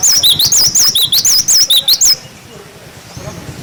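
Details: Rapid, shrill 'wucit wucit' whistling of a cinereous tit, used to teach young birds: around twelve high notes alternating slightly in pitch within two seconds, then quiet background.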